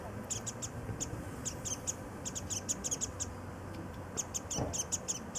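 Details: Warbling white-eyes feeding on cherry blossom nectar at a station in Nichinan, Miyazaki Prefecture, Japan, calling as they flit between early-flowering trees; bursts of sharp high chirps in quick series with short pauses, steady low hum beneath.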